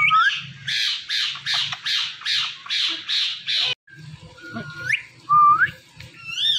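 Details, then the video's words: Indian ringneck parakeet giving a series of eight harsh, high squawks about half a second apart, then short rising whistled notes, with a faint low hum underneath. "Ringneck Talking Parrot"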